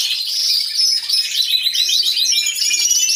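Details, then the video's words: Unbroken wall of high, buzzy trills from many canaries singing in an aviary, recorded with a hidden camera, with a faint low steady tone in the background. "CANTO DE CANARIOS | AVIARY SOUNDS (SONIDO REAL DE UN AVIARIO DE CANARIOS)"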